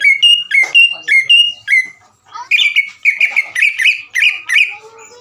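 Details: Greater green leafbird singing a long 'ngekek' chatter with 'sewing-machine' bursts meant to provoke other leafbirds: four clear whistled two-note phrases, a short gap, then a fast run of bright chattering notes ending in softer trailing whistles.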